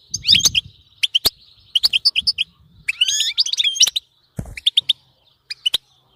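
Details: European goldfinch song for getting a pet goldfinch to sing constantly: sharp twitters, then a buzzy descending tangle of rolling notes, followed by a few widely spaced high chirps.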